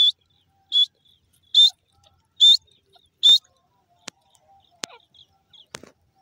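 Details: Grey francolin calling: five loud, shrill, high-pitched notes repeated about every 0.8 seconds, each a short strained squeal, followed by a few sharp clicks and taps in an otherwise quiet background.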